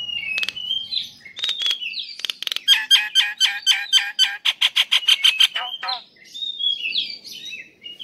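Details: Male Nias hill myna calling to a female: a wavering whistled opening, then a rapid, evenly spaced train of loud ringing notes with falling tails that speeds up and fades into softer slurred whistles.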